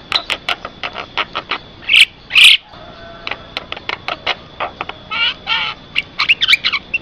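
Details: Black-winged starling song used to lure other starlings, fast chattering clicks broken by two loud whistles, then varied scratchy and nasal notes in quick succession, with a steady background hum.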